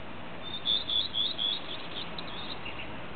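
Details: A common redstart (Phoenicurus phoenicurus) sings at Parkdammen, Hanko, on 5 May 2008: a short phrase of three or four thin, high, clear notes, then a softer, scratchy twitter, over a steady low background hiss.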